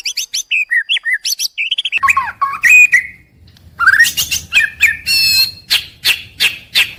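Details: White-rumped shama daily song meant to get shamas singing from morning to evening; rapid series of short high whistled notes, then a pause and bursts of sharp clicking chips with buzzy trills.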